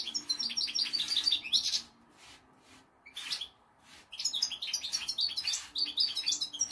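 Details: Two caged European goldfinches, one six years old, singing indoors: bursts of rapid twittering, tinkling high notes with buzzy trills, broken by a pause near the middle, over a faint low hum.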